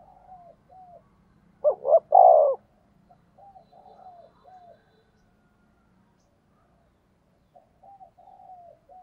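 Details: Decoy spotted dove in 'thúc gù' style, meant to draw wild doves into calling: one loud deep coo phrase of short-short-long notes, surrounded by soft, repeated distant cooing notes.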